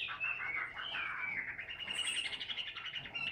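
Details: A Chinese hwamei kept in a cage sings ngũ trường song while perched on the hand, a rapid chattering warble of bright notes in an unbroken flow, with a faint hiss behind it.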